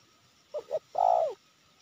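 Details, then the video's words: Wild spotted dove, a persistent cooer in the Sibolangit area of Indonesia, gives two short soft notes followed by a longer, fuller mellow coo, low and hollow, with a faint steady hiss behind. "Tekukur ini Menguku Tanpa Henti"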